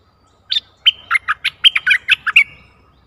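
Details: Bulbul decoy singing to draw in a very old wild bird, 11 August 2021: a lively phrase of about a dozen quick, liquid, rising and falling whistled notes in two seconds.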